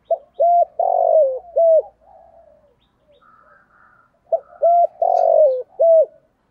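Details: Spotted dove in thổ voice, a full call sequence used for luring: loud low coos in quick rhythmic groups of short notes and a longer drawn-out falling coo, repeated after a quiet pause with faint distant cooing.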